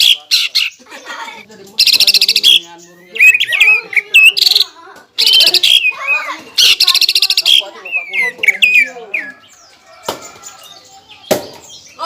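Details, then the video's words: Lure song of a greater green leafbird, packed with varied borrowed melodies of other songbirds to make a rival leafbird want to fight; loud buzzy trill bursts mixed with looping whistled notes and sharp clicks. "PANCINGAN CUCAK IJO GACOR FULL BONGKAR ISIAN BIKIN EMOSI CUCAK IJO LAWAN"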